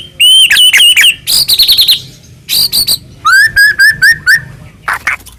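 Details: Lure song of a Medan white-rumped shama, full of fill-in phrases, meant to make other shamas answer: warbling whistled trill, a shrill stuttering burst, clipped notes, then a rising whistle broken into rapid pulses.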